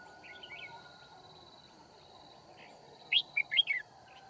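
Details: A red-whiskered bulbul decoy is heard during a trapping outing at Kim Bôi on 9 February 2019. A faint warble comes first, then a loud phrase of four lively chirped notes, rising and falling. A steady high background whine continues throughout.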